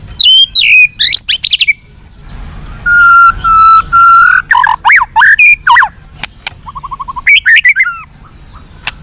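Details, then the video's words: White-rumped shama song for making captive birds more responsive and fighting: varied whistled phrases, a few long level pure whistles, sweeping slurred notes and a short rapid trill. "SUARA BURUNG MURAI BATU FIGHTER"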